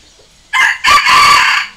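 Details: Red junglefowl rooster kept as a decoy crows to challenge wild birds: a brief loud opening note, then a long, raspy, sustained phrase that fades out, without the closing syllable, in a quiet setting.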